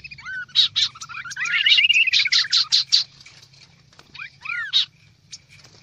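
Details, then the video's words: Kaso-kaso bird calling in a noisy lure recording: loud, sharp chips mixed with a drawn-out descending whistle in the first half. Quiet gaps follow, then a few curved whistles and a last bright chip, over a low hum. "Suara pikat burung kaso kaso ribut"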